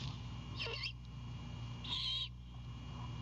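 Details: Great horned owlet on its Savannah nest at night, 7 April 2022, greeting the returning mother bringing a whole anhinga, with two brief harsh scratchy chips about 1.3 seconds apart against constant low background hum.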